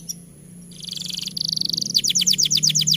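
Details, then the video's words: Canary in full vigorous song, used as a master recording to prompt young or reluctant canaries to sing: after a quiet start, a buzzy trill, then a fast rattling trill, then quick repeated downward-sweeping notes, with a faint low hum behind. "Suara MASTERAN Kenari Gacor Panjang Sangat Efektif Untuk PANCINGAN Kenari Bahan Dan Malas Bunyi"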